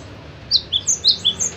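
A cinereous tit gives six quick, thin, high chirps over about a second, alternating between higher and lower notes, over a faint background hiss.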